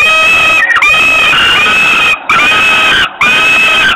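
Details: As the mother flies in on a June 2021 afternoon in Włocławek, Poland, two young common kestrels scream hungrily from their doorstep ledge, a nearly unbroken harsh, rasping screech broken only by two brief pauses.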